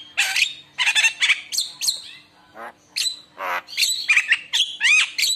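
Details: Javan myna singing to lure other mynas into song, a rich mix of scratchy chatter, buzzy bursts and sharp rising and falling whistles in quick irregular phrases with a short pause midway.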